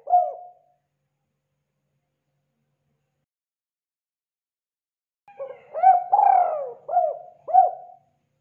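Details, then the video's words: Spotted dove lure recording for attracting wild birds: a lone clipped coo, about four and a half seconds of silence, then one full phrase of soft hooting notes with a drawn-out, purring middle note and two falling coos. "SUARA BURUNG DERKUKU TEKUKUR UNTUK PIKAT AMPUH"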